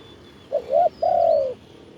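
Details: Spotted dove cooing in the khan yon style, recorded live while seeking wild doves with a decoy on a branch: a short rising note, a slurred double note, then one long steady coo that sags slightly at the end.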